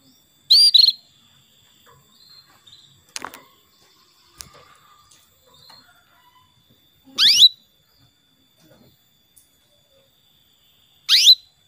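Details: Female canary call meant to set a male singing: brief, loud upward-sweeping chirps repeated at irregular gaps of several seconds, with soft clicks and faint twitters in between.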